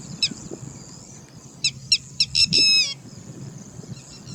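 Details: Angry red-wattled lapwing (Vanellus indicus) giving sharp, strident alarm notes: one piercing call, then a quickening burst of shrill, high-pitched cries, over a faint outdoor hum.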